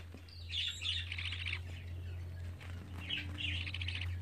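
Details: Pet budgerigar chicks, 24 days old: two clusters of fast, rattling chirps separated by a pause, over a loud steady low electrical hum.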